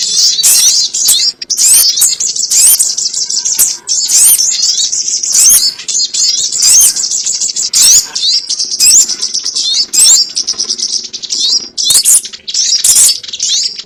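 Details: Sogon bird lure recording for trapping: nearly continuous, very high, thin twittering and sharp chips, with frequent louder squeaky bursts throughout and a faint low hum beneath.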